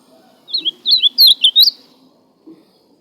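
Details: Ultramarine grosbeak singing a brisk warbled phrase of about six quick, sweeping high notes packed into just over a second, then one faint lone note after a pause; a low steady hum runs underneath.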